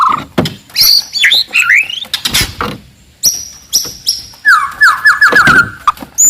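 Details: Wild forest white-rumped shama, loud and aggressive to rile rivals: high thin whistles and sweeps among clicks and knocks, then a fast rattling trill of repeated notes.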